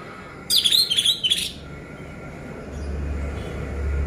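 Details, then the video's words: An orange-headed thrush, played as a lure to make sluggish captive birds sing, gives one quick, rich phrase of varied whistled and chattering notes lasting about a second, then falls silent over a low background rumble. "Pancingan Anis Merah Macet Biar Bunyi Gacor dan Teler Lagi"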